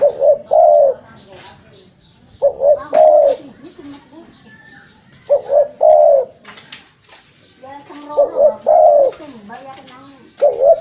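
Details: Spotted dove cooing for luring: four phrases of two quick low coos and a longer throaty coo, repeated every few seconds, with faint chirps of other small birds in the background.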